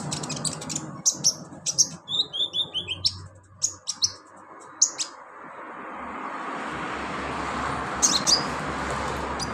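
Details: Olive-backed sunbird (kolibri ninja) song used as therapy to trigger singing. It has sharp, very high chirps, then a rapid run of descending twittered notes and more scattered high chirps. A rushing, water-like noise grows in the background.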